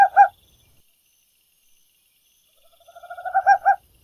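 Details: Tropical screech owl singing: two loud, hoarse closing notes, a pause, then a soft purring trill that quickens and swells into two emphatic final hoots.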